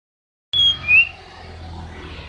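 Two clear, high whistled notes from a greater green leafbird: a sharp level whistle, then a quick rising slur. Faint background hiss follows.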